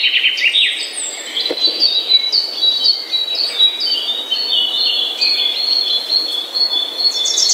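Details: Morning birdsong made of thin, high whistled notes and flat tones layered over one another. Scattered chirps run through the song, with a soft background hum.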